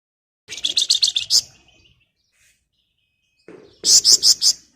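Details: A flamboyan delivers two bouts of quick, sizzling repeated notes, about seven in the first and five in the second, separated by a faint thin whistle; a lure song for flamboyan reluctant to sing.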